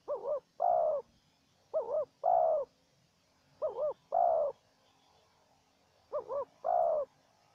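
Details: Wild spotted dove answering a decoy dove set out for trapping. Four paired phrases, each a quavering two-humped coo then a drawn-out coo, come at uneven gaps of one to two seconds over faint background hiss.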